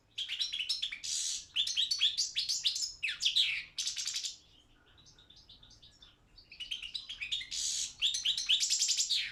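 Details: European goldfinch, balcanica form, recorded for a Serbian association's internet song championship: loud bursts of rapid twittering mixed with harsh buzzy notes, a quieter softer passage in the middle, then vigorous chattering again.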